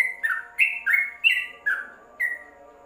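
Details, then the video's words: Short burst of Yellow-vented bulbul song used to train caged birds: half a dozen loud, clear downslurred whistles, closely spaced at first and then spreading out toward the end. "Masteran Trucuk dalam krojong"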